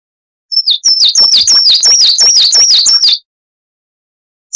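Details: Coal tit song used as a training recording for cage birds, the sound called wucit-wucit: a fast run of about a dozen thin, high whistled notes, each sliding downward, repeated roughly three times a second, then a pause and a new note.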